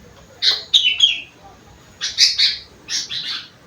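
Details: Sooty-headed bulbul with a rengganis and cucak wilis song fill, giving two loud clusters of rich, warbling whistled notes, each a quick tumbling phrase, separated by a short silence.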